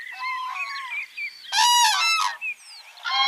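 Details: Overlapping clear, trumpeting calls from several common cranes in a flock at a village pond in Kushinagar district, Uttar Pradesh, in summer while dancing. One call is louder and buzzier, and the flock's voices rise and fall against one another.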